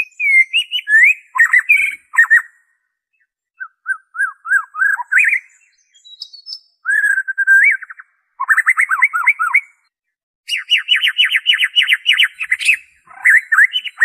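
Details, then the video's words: White-rumped shama song used to prompt caged birds to sing: long varied sequence of rich whistles, trills and rapid repeated notes in bursts separated by short pauses, with a fast rattling trill near the end. "PANCINGAN SUARA MURAI BATU ORIGINAL TANPA ISIAN"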